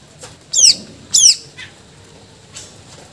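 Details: Greater green leafbird singing its mimicked filler repertoire, used to stimulate and tutor other birds; two loud, high, rapid stuttering bursts of descending notes, followed by fainter scratchy calls.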